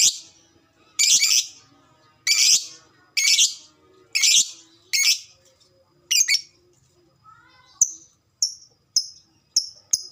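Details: Fighter lovebird chattering (ngekek) used as a response lure: a series of loud, raspy high bursts about once a second, then a string of shorter sharp squeaks.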